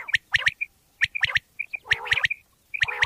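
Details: A common quail in Pakistan, recorded as a sound used to lure quail for hunting, gives sharp, liquid three-note phrases, 'wet-my-lips', roughly once a second, with a faint rough undertone behind some phrases.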